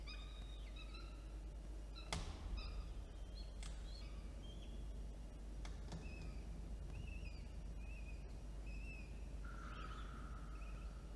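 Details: At Orange, NSW on 9 October 2022, two peregrine falcon chicks beg as the adult female feeds them: scattered high, short slurred squeals, a few sharp knocks and a longer level whine near the end, over constant hum.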